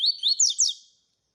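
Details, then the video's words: Brief tui tui phrase from a double-collared seedeater, sung to warm up and tutor other seedeaters: four to five fast, high, upslurred whistles delivered in under a second on a clean background. "COLEIRO TUI TUI PARA ESQUENTAR COLEIRO, MELHOR TUI TUI PARA MESTRE PAPA CAPIM"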